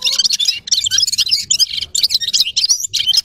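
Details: Gulsir, the red-fronted serin, sings in quick high bursts of jangling, buzzy twitter separated by very brief breaks.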